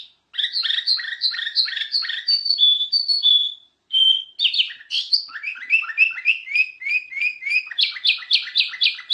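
A golden-fronted leafbird sings a fast, varied run of sweet whistles and chattering notes, high-pitched and almost continuous, broken by one short pause.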